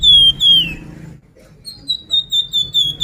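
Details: Sunda pied fantail played as a lure to make birds sing: clear whistled notes near the top of the range, first long sliding whistles, then after a pause a run of short even whistles repeated about twice a second, low hum beneath.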